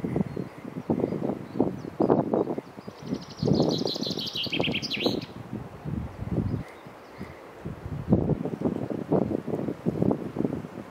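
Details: A chaffinch in a forest gives one bright, descending run of notes ending in a quick flourish, half-buried under loud, gusty rustling and wind.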